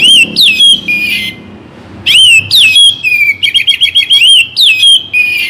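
Oriental magpie-robin singing loud, varied whistled phrases that swoop up and down, with a quick run of repeated chirping notes between short pauses.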